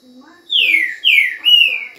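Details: Green-winged saltator singing vigorously: three loud, clear whistled phrases, each sliding downward, the last held steadier and level, with faint low murmuring beneath.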